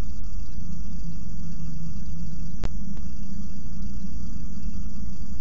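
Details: A loud constant low hum with steady electronic tones and one brief click, and no animal voice.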